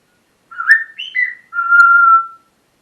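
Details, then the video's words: ['Pet parrot whistling during a lively morning session: a brief rising whistled phrase with a couple of quick pitch jumps, followed by a long, steady, clear whistle that fades out.'] "My parrots morning talking session"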